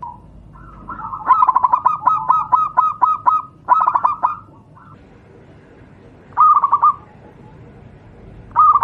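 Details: Zebra dove (perkutut jawa), local wild type, offered as a tutor song for other doves: a long stuttering run of rapid cooing notes, then two shorter bursts after a pause.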